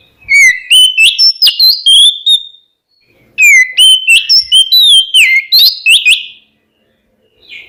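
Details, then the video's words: Oriental magpie-robin singing a rich song to provoke rivals. Two bursts of rapid, varied whistled phrases, slurred up and down, are separated by a brief pause, with a soft note at the end. "SUARA BURUNG KACER KEMBAR, bikin lawan EMOSI ikutan nyaut"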